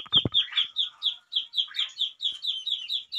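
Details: Pet crested myna being tamed, giving a rapid series of short, high chirps that bend downward, roughly two to three per second, with one louder, harsher note near the start.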